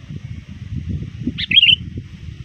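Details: A trapped sooty-headed bulbul, calling near dusk before Maghrib, gives one quick, bright burst of bubbly chirps under half a second, over a steady low rumble of background noise.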